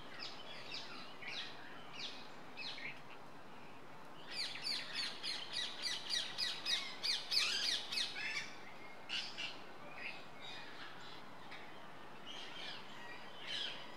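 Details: Wild flock holding a rare wild blue Indian rose-ringed parakeet, unbanded and possibly wild-born: a run of harsh, shrill squawks rapidly repeated for several seconds, then scattered calls, over steady broadband outdoor background noise.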